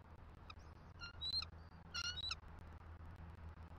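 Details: Female bald eagle F23 at a Southwest Florida nest, 6 November 2023, calls out for a shift change, and male M15 responds. She gives a high, thin, chittering peal of quick squeaky notes in short bursts over a low, steady rumble.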